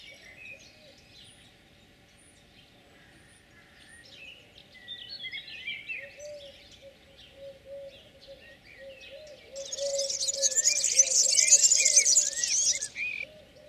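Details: Spring courtship song of a European serin in olive branches: after scattered thin whistles from other birds, a burst of fast, high, tinkling jingling notes lasts about three seconds, over a steady series of low coos.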